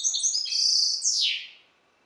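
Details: Song fragment from a captive European goldfinch hybrid of Balkan goldfinch descent: a dense buzzy trill followed by a sweeping downward slurred note that fades out, in a quiet setting.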